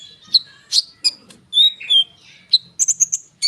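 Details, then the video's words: Konin bird delivering lure song: scattered sharp high chips and short slurred whistles, some falling in pitch, ending in a quick run of bright notes. "konin gacor ngerol suara rapat untuk pancingan kolibri bahan cepat respon"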